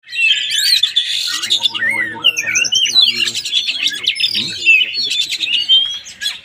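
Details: Oriental magpie-robin (kacer) singing during a test session in Palembang: a dense, rapid run of whistled and buzzy high phrases with sharp upward and downward sweeps, almost without pause, with faint lower voices underneath.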